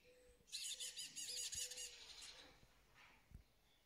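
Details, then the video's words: Moroccan starling pouring out a dense, rapid, scratchy chatter for about two seconds, then fading to faint background noise. "طائر الزرزور المغربي"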